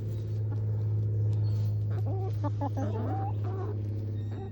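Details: Backyard hens foraging in the morning, giving a string of short, warbling clucks and squawks, some rising and falling, over a loud, steady low mechanical drone that runs throughout.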